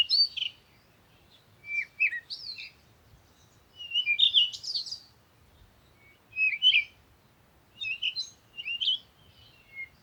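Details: Bird singing short, varied phrases of high chirps and squeaky twitters, roughly one every one to two seconds, with quiet gaps between them.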